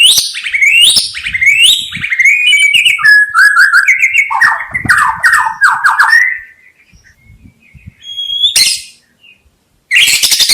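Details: White-rumped shama in full song, used for trapping: a rich rambling stream of fast warbled whistles and rattling trills stepping downward over six seconds, then a short high note, silence and a final harsh high burst.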